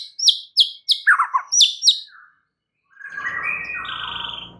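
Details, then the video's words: Shama song used as a provoking lure for other white-rumped shamas: quick bright high chips alternating with lower falling trilled notes, a short pause, then long sustained whistled tones over a low rumbling background. "SEKALI PANCINGAN Murai Batu anda langsung NAIK EMOSI mendengarnya"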